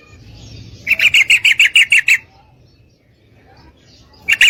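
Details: Female sooty-headed bulbul calling to a male to mate; a burst of eight quick, clear chirps, a quiet pause, then another note starting at the end.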